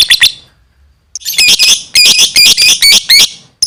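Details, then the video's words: Gacor lovebird in full voice: a few sharp high chirps, a brief pause, then a dense, loud run of rasping, squeaky chattering notes packed closely together for about two seconds. "suaranya gacor love bird"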